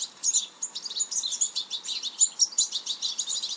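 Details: European goldfinch, the spatzengroße Stieglitz or Distelfink, delivering a fast, dense twitter of high tinkling notes and short buzzy trills, continuous with no clear pauses, over faint steady background hiss.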